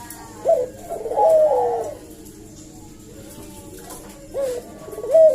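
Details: Lure-call Barbary dove: a short abrupt coo note, then a drawn-out falling rolling coo, a pause, and another sharp note and purr starting at the end, over a low background hum.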